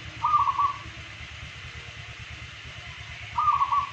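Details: Local zebra doves singing in a daily session: two short, beaded cooing phrases with quick staccato notes, the first near the start and the second about three seconds later, over a steady low engine-like rumble.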